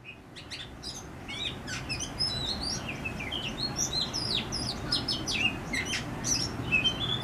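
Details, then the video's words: Oriental magpie-robin singing in a backyard in Howrah, West Bengal, India: a busy run of varied high whistles, slurred upward and downward notes, and short chirps, steady over low background hum. "Lullaby By An Oriental Magpie Robin"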